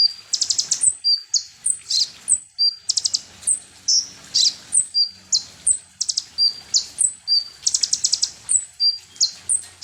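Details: Konin sunbird song used as a lure to agitate other birds: rapid series of high, thin chirps and short sharp trills, notes falling and rising in pitch, delivered almost continuously with brief buzzy bursts.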